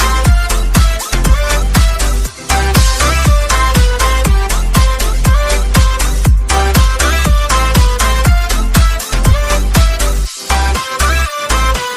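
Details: Loud electronic dance music with a steady, fast beat of about two thumps per second and layered synth tones throughout; no animal sounds come through.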